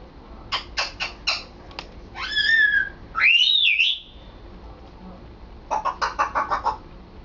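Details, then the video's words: Male African grey parrot kept as a pet, practising words and sentences: a quick series of clicking syllables, rising and looping whistles, then another rapid string of clipped, speech-like sounds. "African Grey Sambuka trying to talk and succeeding!"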